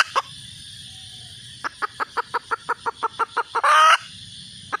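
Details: Red junglefowl hen calling, two early clucks, a pause, then about a dozen quick regular clucks leading into one loud, grating, drawn-out squawk.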